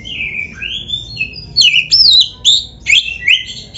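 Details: Oriental magpie-robin, called kacer, in 'gacor full isian' masteran song for caged-bird practice: smooth rising whistles slide into fast, sharply inflected chirps repeated about twice a second.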